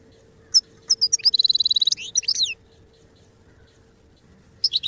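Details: Goldfinch song for training: a few separate sharp chips lead into an even, buzzy trill lasting under a second and some quick sweeping notes, then a pause before the chips return, over a faint low hum.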